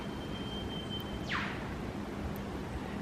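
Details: A male Eastern Whipbird on a mountain rainforest trail near O'Reilly's gives a long, thin, steady whistle ending in a sudden downward whip-crack snap, over soft hiss; a female may answer with a two-toned return call.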